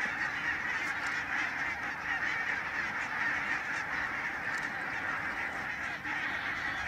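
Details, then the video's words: Dense chorus from a vast flock of barnacle geese by the Nijkerk steam pumping station in the Netherlands: many overlapping nasal yelps blend into a steady roar, with a few sharper clicks and rustles standing out. "Zwerm brandganzen"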